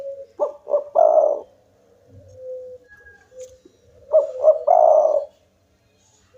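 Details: Lively local spotted dove song, claimed to prompt rival birds to sing: two phrases, each two short coos and a longer resonant coo, about four seconds apart, with soft murmuring coos between.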